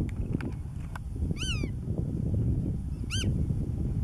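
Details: Black-tailed godwit at Marken, June 2020: a nasal, harmonic call that bends upward and then drops, followed by a shorter second call under two seconds later, against constant low rumbling wind.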